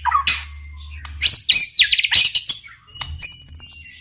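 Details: White-rumped shama song meant to prompt other shamas to sing: dense bursts of high sharp chips, rapid rattling notes and thin trills in quick succession, brief pauses between phrases, low hum in the background.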